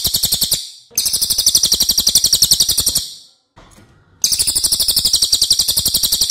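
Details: Training recording of a Cililin: strident, fast-pulsed high trills, three runs separated by short silences, each note evenly spaced and loud.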